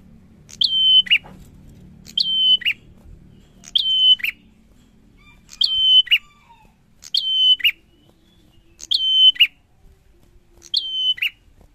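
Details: A steady series of seven bar-winged prinia song phrases, one about every one and a half seconds. Each is a high chip, a long level whistle and a lower rasping note, with soft low background rumble early on.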